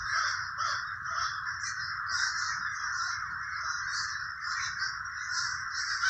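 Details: Crows in the Villa Park neighborhood of Trenton, New Jersey: many harsh caws overlap into a continuous rasping din, with individual calls standing out briefly about every half second.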